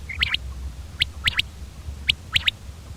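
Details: Common quail's clear rhythmic call: three short, sharp notes grouped as one plus a quick double, repeated about once a second against a faint low hum.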